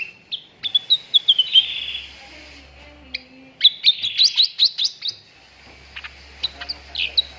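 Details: Cucak ranting training lure for contest birds, played to prompt quick singing: quick series of high, sliding chirps, a short pause, then a dense chattering run of sharp notes and a few scattered calls, with a faint low hum.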